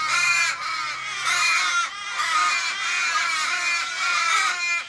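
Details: Crowd of Australian ravens mourning a car-struck mate in Kellyville, Sydney, on 1 July 2012: dense, continuous chorus of wailing, drawn-out caws from many birds at once, a faint voice early on.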